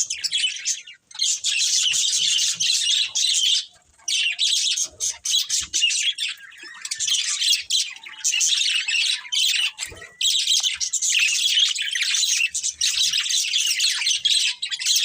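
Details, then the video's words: Breeding pair of pet budgies in long runs of dense, buzzy, high warbling chatter, paused briefly every few seconds, with faint clicks. "Cute Budgies Chirping Sounds | Love Birds Breeding Pair"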